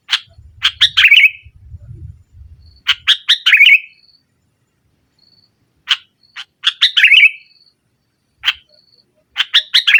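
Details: A sooty-headed bulbul presses rivals with 'nggaruda' song that also lures silent birds. Three bouts of raspy, rapid chatter, each ending in a buzzy slurred twist, are separated by pauses with a faint high whistle.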